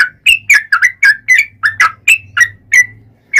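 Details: Yellow-vented bulbul singing a 'ropel' song to lure others into singing: evenly spaced, rich slurred whistled notes about three per second, over a steady low hum.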